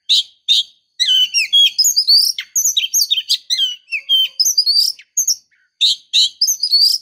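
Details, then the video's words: Female Oriental magpie-robin calling to lure the male: a varied stream of high whistled, sliding and chattering notes in quick bursts, with short pauses between phrases. "Suara Gacor Kacer betina memancing jantan"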